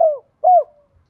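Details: Spotted dove 'thúc gù' coo meant to encourage caged birds to call: two brief, mellow, downward-curving coo notes separated by a short pause, with a clean, quiet background.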